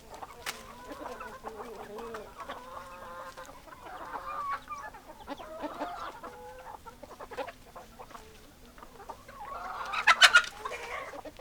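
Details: Hens and roosters give drawn-out, harmonic-rich clucking calls with pauses between them, and a loud harsh squawk bursts out near the end.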